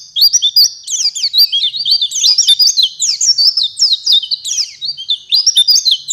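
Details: Java sparrow singing a fast, continuous string of bright, clipped chirps and ringing notes, tumbling up and down in rapid bursts, with brief breaks between phrases.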